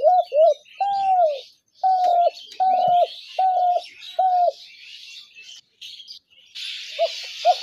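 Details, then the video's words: Spotted dove coos played to draw doves into traps: a steady string of six or seven low, slightly falling notes, then a pause, a hiss of noise and two short coos, with background twittering. "ঘুঘু পাখির ডাক/Dove bird calls/gugu pakir dak/ dove trap sounds/পাখির ডাক"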